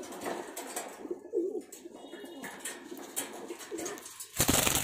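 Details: Low gurgling coos from a pair of pigeons in short phrases, ending in a loud, broadband flapping or rustling burst.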